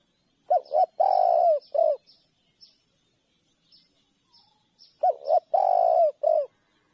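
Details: Spotted dove delivering two cooing phrases, each a pair of short notes, a long rolling coo and a final short coo. Faint high chirps and soft ticks from other birds are heard in the background.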